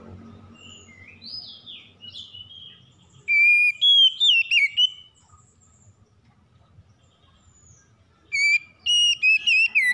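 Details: Morning song of a magpie-robin, played to restore a stressed bird: soft high sliding whistles first, then two loud bursts of bright, rapidly warbled whistled phrases a few seconds apart, over faint low background rumble.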